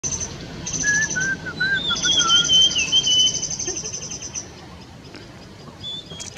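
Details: Sibia in the high Himalayas singing clear, wavering whistled phrases that slide up and down, over a high steady insect-like buzz and soft background hiss.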